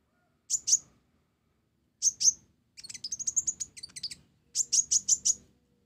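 A sunbird gives high, thin, sharp chirps, first in pairs, then a rapid twittering run and a quick string of five bright notes.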